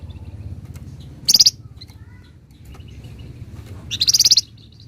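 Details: Caged flamboyan songbird giving two short, very high buzzy chattering bursts about three seconds apart, each a quick run of rapid notes, over a steady low hum.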